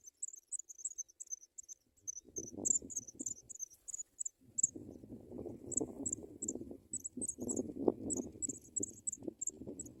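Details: Nestling African pipits in the nest, fed white butterflies by the parents, utter shrill, thin, high chirps in fast runs; loud rustling and shuffling in the nest builds up from the middle onward.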